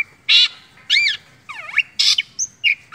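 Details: Hobbyist's long-tailed shrike (cendet) in mimicry song: loud harsh rasps, a wavering swooping whistle dipping low and back up, then short squeaks and thin high whistles.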